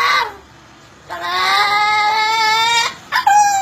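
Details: Parrot imitating the whistle of a turbo: a brief falling note, then a buzzy, harmonic-rich tone that climbs slowly and holds for nearly two seconds before cutting off, followed by a short level whistle.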